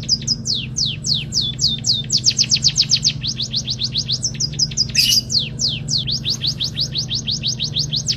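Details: White-headed munia singing a fast canary-style song with high, down-slurred whistles in quick runs of four to six notes per second, over a steady low electrical hum.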